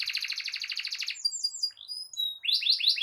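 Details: Canary producing a dense buzzy trill, then thin high whistled notes and a few sweeping slurs, ending in quick repeated downslurred phrases; intended to set other canaries singing.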